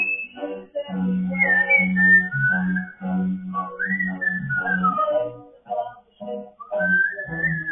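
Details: An African grey parrot, a pet shown singing and dancing, sings a run of low, hummed voice-like syllables, broken by bright rising and falling whistled glides, possibly with faint music behind it.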